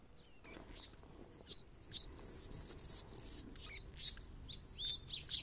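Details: Anna's hummingbird, a male guarding its territory near a nest where a female feeds her young; thin, very high sharp chips and squeaky notes repeated irregularly, roughly twice a second, over faint background hiss.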